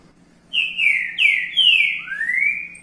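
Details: A green-winged saltator sings a loud, clear whistled phrase of the song type called "boi repicado": three slurred notes falling in pitch, then a final rising note, over a faint low hum.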